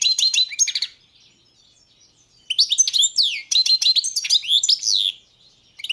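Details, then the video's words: Competition recording of a Balkan goldfinch, Carduelis carduelis balcanica, 2022 championship entry: a quick liquid twitter of high chirps, a silent gap of about a second and a half, then a longer run of tumbling sweeping notes. "Pesma štiglića 005/22 World Championship in Goldfinch Song"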